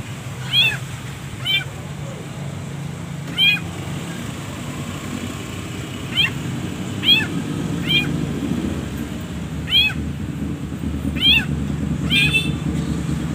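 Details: Long-tailed shrike, kept as a caged bird, in a training recording full of pauses. Short, bright, chattering notes come singly or in pairs, about once a second with uneven gaps, over a steady low hum.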